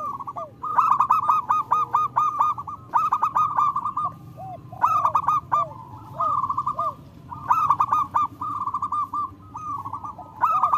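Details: Lure recording of loud local zebra doves: bursts of fast, stuttering coos repeat every couple of seconds. Softer, lower, drooping notes overlap between bursts, suggesting more than one bird calling.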